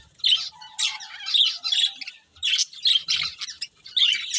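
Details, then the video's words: Colourful budgerigars while eating give separate, loud, harsh chirps and squawky notes, about one every half second, with a faint low hum between them. "Colourful Budgies Chirping Sounds | Love Birds Eating"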